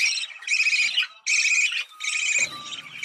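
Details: Budgerigars warbling to encourage mating: four loud buzzy bursts of harsh chattering separated by short pauses, ending with a low rumbling noise underneath.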